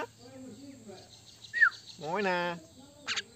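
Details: A pet Indian common myna gives a short, sharp falling whistle, then a drawn-out nasal squawk of about half a second and a brief harsh chirp, over low murmuring and hum.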